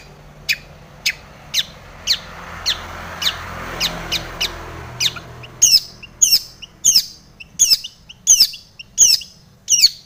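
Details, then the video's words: Long-tailed shrike in vigorous song full of imitated notes, to spur other shrikes to sing: a run of thin, rapid high ticks, then louder chattering downslurred phrases, over low engine hum early on. "SUARA cendet gacor full isian TOMICENG pancingan cendet agar bunyi"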